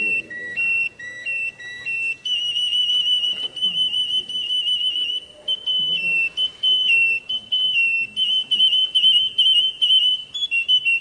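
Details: Russian canary pouring out a long song of bright whistles, lower paired notes at first, then high pulsed rolls and held tones with brief pauses.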